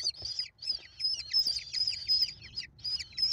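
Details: American kestrel nestlings, five chicks fed by their mother on 28 May 2021, give a near-continuous chorus of shrill overlapping squeals with rapid downward-slurred notes, loud and sustained.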